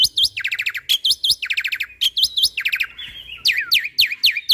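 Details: Vigorous jalak putih (black-winged myna) song used for tutoring other mynas, filled with 'tembakan' shots: repeated pairs of looped whistled notes alternating with fast rattling trills, ending in strong falling whistles.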